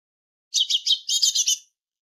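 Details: Tit song on a goldfinch tutoring recording: one dense, slightly buzzy trilled phrase of about a second, rapid rolling notes at a high pitch, with silence around it.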